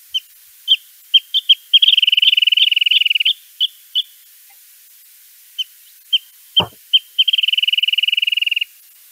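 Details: Wrentit; duet; pair keeps its bond year-round by duetting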